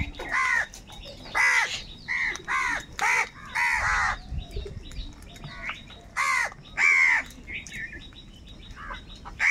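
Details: Crows calling angrily and fighting for food: a run of harsh, nasal caws with rough, rich overtones, each about half a second long, repeated irregularly, some overlapping, with several birds calling over faint background noise.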